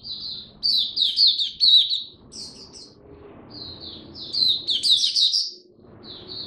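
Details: Oriental white-eye kept as a cage songbird, heard in cold rainy weather: a lively, high-pitched warbling of rapid chirpy notes in two long phrases separated by short gaps, over soft low rumble.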